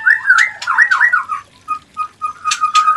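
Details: White-rumped shama, a mating call for new, not yet breeding pairs: slurred whistled phrases rising and falling, then a run of short steady clear notes with sharp high clicks between them.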